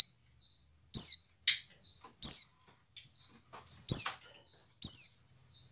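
A white-eye gives high, thin chirps that swoop sharply downward, spaced unevenly about a second apart, with softer buzzy notes between them.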